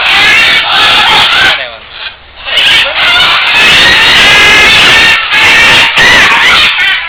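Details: Captive great green (Buffon's) macaw on the ground at a breeding-for-release project in San José, Costa Rica, 31 December 2010, giving loud, harsh, raucous squawks, nearly continuous with one brief lull about two seconds in.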